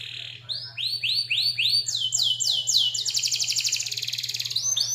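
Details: Canary, a local Indonesian bird used as a master song for training other songbirds, sings a long rapid rolling song: repeated rising whistled slurs speeding into fast trills and chattering rolls, over a low steady hum.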